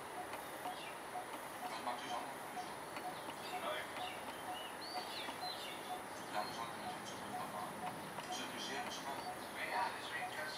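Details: A coppersmith barbet at a home in the morning, preening intensively, gives soft, low, hollow 'tuk' notes about twice a second. Other birds chirp busily and faint voices are heard in the background.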